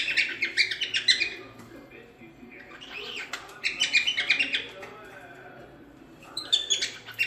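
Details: Cockatiel song used as training to teach chicks to sing: bursts of harsh, buzzy chirps and short whistled notes in clusters, with quiet gaps between phrases.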